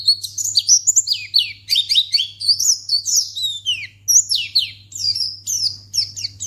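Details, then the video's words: White-eye (pleci) song used to bait a response from other white-eyes: lively bursts of sharp, high, slurred chirps in groups of three to five, separated by short gaps, with a low hum throughout. "Pleci Akan Langsung Merespon Memancing Bunyi Burung Pleci"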